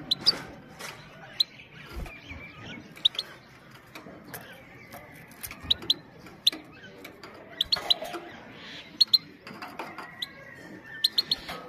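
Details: Female goldfinch calls for stimulating males and training young birds: many short high 'pit' ticks, often in twos and threes, scattered over a busy background of clicks and rustling.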